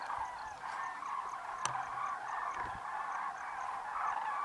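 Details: A huge winter evening flock of common cranes, estimated above 40,000, takes off from grassland feeding grounds for roosts in the Great Rann of Kutch, January 2013, calling in a steady wall of overlapping, rolling trumpeting; one sharp click partway.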